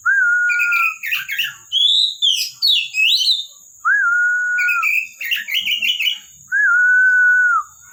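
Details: Oriental magpie-robin (kacer), kept bird, singing in full: long pure whistled notes held steady around the same pitch alternate with quick twittering, slurred phrases; a constant high electronic whine runs behind.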